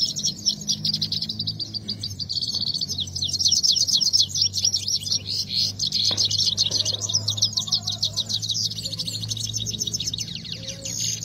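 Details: Saira or Himalayan goldfinch singing in a contest: a long, continuous, high-pitched twittering of rapid chattering notes and short trills, rising and falling in loudness, over a steady low hum.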